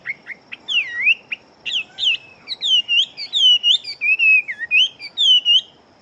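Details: Chinese hwamei, a fighting bird with a strong voice, pouring out a fast continuous string of clear whistled phrases that swoop up and down, little pause between notes, over a faint steady high tone.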